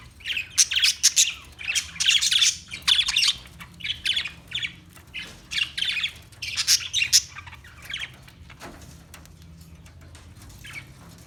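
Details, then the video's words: Parakeet chirping: bursts of bright, scratchy high chatter in clusters, pausing briefly between groups, with a faint steady low hum underneath. "Birds Parakeet Sounds Parrot Chirping Sounds"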